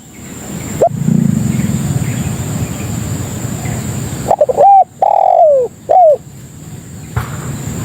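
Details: Spotted dove lure call meant to attract other doves: after a few quiet seconds of low rumble, one loud three-part coo phrase, a short note, a long falling note, then a short note, over a steady high whine.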